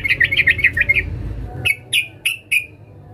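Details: Sooty-headed bulbul female calling to a male, giving a fast burst of about seven bright chattering notes, then four separate sharp, slightly falling chirps spaced roughly a third of a second apart.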